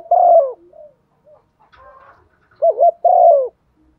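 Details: Spotted dove kept as a decoy, cooing in a proper style to prompt rival doves to call: one long descending coo, a pause with faint soft notes, then a wavering double note leading into another long falling coo.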